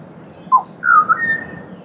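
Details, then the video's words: Short phrase of a pied butcherbird singing in Australia: a brief descending whistle, then a sustained warbling tone that rises into a long clear note, over a quiet low hum. "Serenaded by Pied Butcherbird"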